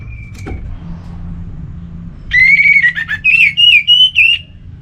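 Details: Orange-headed thrush giving a relaxed song used to encourage other kept birds to sing. One brief thin whistle, then a rapid run of varied whistled phrases, some bending upward, some warbled, about three per second, over faint low hum.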